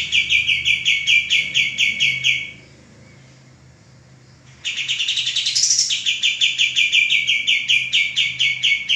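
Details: Repeated rapid chirping from a male common iora kept as tutor for cage birds, a pause of about two seconds, then a rising whistle-like flourish and another long run of fast chips.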